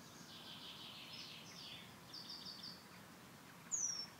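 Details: A Eurasian penduline tit (Remiz pendulinus) at Tidö-Lindö, Västerås, Sweden, in 2010 gives a thin, very high, drawn-out whistle that slides downward after a few softer high notes, over a steady outdoor hiss.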